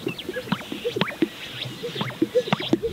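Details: Displaying greater sage-grouse on a spring lek in Central Montana, 2022: repeated hollow popping plops with short squeaky whistles and swishing notes, several birds overlapping in an uneven rhythm.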